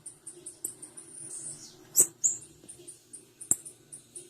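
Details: Rapid, evenly spaced high tsip notes from a female blue-black grassquit, several each second, with a short buzzy passage, two sharp clicks and a quiet low hum throughout.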